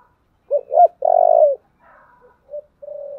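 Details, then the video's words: Spotted dove in 'giọng thổ' voice, 'thúc' and 'gáy gọi' calling: two quick hollow hoots then a drawn-out vibrating low coo, and after a pause a few soft, fainter coo notes. "Cu gáy giọng thổ/ chuẩn thúc và gáy gọi"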